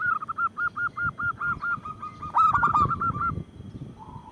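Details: Local zebra doves used to lure and provoke others: a long, even string of soft coos, about three per second, interrupted midway by a loud, jumbled burst of overlapping ringing notes.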